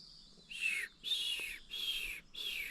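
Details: Shining bronze cuckoo calling all morning at the edge of wet sclerophyll forest, Australia: four high, wavering, downward-slurred whistled notes about every half second.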